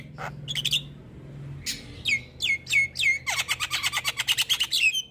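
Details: Javan myna on a song-prompting recording for lazy birds: a few scattered chips, then repeated downslurred whistled notes, then a quick rhythmic series of sharp chattering notes.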